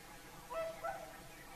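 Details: Whooper swans singing at sunset beside Lake Saimaa; a paired trumpeting call, two nasal notes in quick succession with rising overtones, over a low steady hiss.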